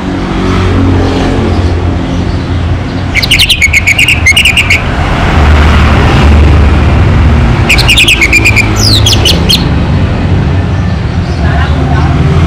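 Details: Local Orange-headed thrush in strong song, giving two separated bursts of rapid whistled and slurred notes, each phrase repeated quickly, over heavy traffic noise.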